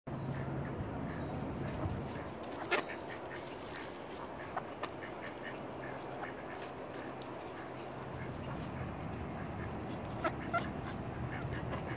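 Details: A male mallard standing his ground defensively gives low, rasping quacks in an uneven run, several a second, over a steady background rumble.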